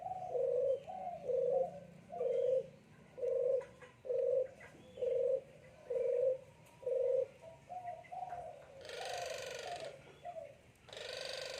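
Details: Barbary doves of the Puter Geni type being paired for breeding. Short low rolling coos repeat about once a second in a steady series, followed by longer coos and two bursts of broad rustling noise.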